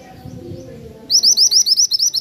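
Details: Zebra finch song: a rapid, steady run of about a dozen bright, high, slurred notes after a second of quiet low background noise.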